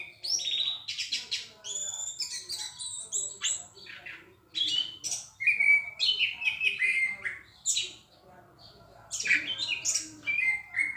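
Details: Loud, clear song of an orange-headed thrush: varied whistled phrases and sharp chirps in bursts, with short silent gaps between phrases.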